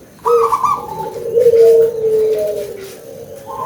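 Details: Local zebra dove with a powerful voice gives one loud, bubbling coo that slides into a long, softer purring note.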